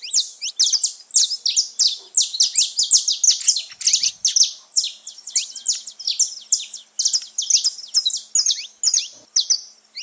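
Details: Saffron finches singing free in nature, a lively gathering: dense overlapping high chirps and sharp downslurred notes, bursts repeated many times a second, several birds calling at once throughout, with no other sounds.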